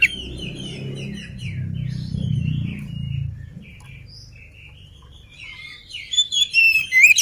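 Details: Oriental magpie-robin, unfed and in vigorous song: soft chattering notes over a low rumbling background, then loud, bright whistled phrases climbing and falling near the end.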